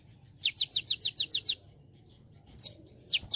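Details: Olive-backed sunbird, lively training song with celilin-style fill: a rapid run of eight sharp, high, downslurred notes, then a pause and three more scattered falling chips, with a low background hum.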